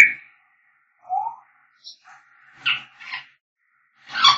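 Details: African grey parrots whistling: short separate notes, a low rising whistle, then harsher squeaky bursts and a loud rough squawk at the end, with clean silence between the sounds.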